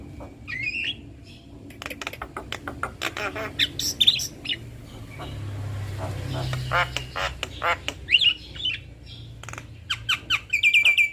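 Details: Male and female Javan myna duetting: harsh squawks and clicks mixed with rising and falling whistled notes in bursts, a rapid chattering run near the end, over a low background hum.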